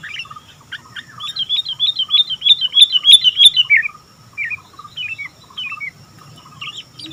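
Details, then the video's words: Sooty-headed bulbul singing vigorously: a fast run of bright, clipped whistled notes repeated about three per second, then a few separate slurred chirps, over a steady faint low hum. "Burung Kutilang Gacor"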